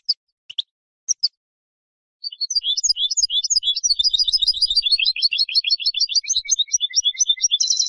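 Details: European goldfinch song: a few scattered chirps, then from about two seconds a long, rapid, continuous run of high tinkling, twittering notes with a brief buzzy trill at the end; no other sounds.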